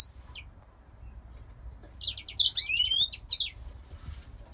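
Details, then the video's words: Grey singer finch, a captive male from a breeder in Poland, singing indoors; a brief high note opens, then after a pause a short burst of rapid twittering and upslurred whistles. "Grey Singer Finch IRL 4- song beat."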